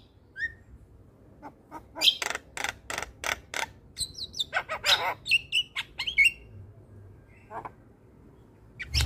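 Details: Javan myna singing in a lively, nonstop style, used as playback to prompt silent or stressed mynas to sing: harsh buzzy notes repeated about twice a second, scattered clear whistles, then a quiet gap and a final note.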